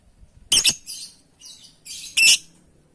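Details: Lovebird calling to its companions: a strident double shriek, then soft scratchy chatter, ending with another loud, rasping screech.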